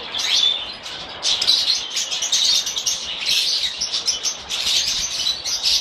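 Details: Several pet lovebirds chirping together: a dense, continuous chatter of high, shrill twittering notes that overlap without pause, swelling and easing in loudness throughout.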